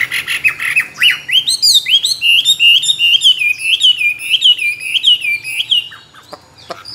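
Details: Tame Chinese hwamei, a caged contest songbird with many wild voices, repeats loud upswept whistled notes in a steady chain, then trails off into a few sharp clicks.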